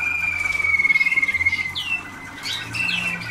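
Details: Waterslager canaries, young birds a few days into song training in 2010: a long, slightly falling whistle with a fast pulsing trill, followed by short upswept chirps over a low hum.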